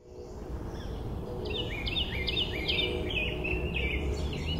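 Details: Loud male Carolina wren singing in south meadows on 18 June 2024: rapid repeated two-part ringing phrases, each a high note dropping to a lower slurred whistle, about six in a row, over steady low rumbling background noise.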